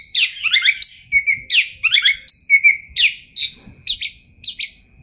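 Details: Champion Oriental magpie-robin (kacer), 2021, singing varied material. Falling buzzy chirp sequences repeat steadily, broken by brief flat whistled notes, with faint low knocks underneath.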